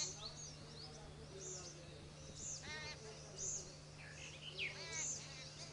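Jungle babblers give harsh, nasal, rasping calls in short bursts, mixed with thin high chirps, over a steady low hum.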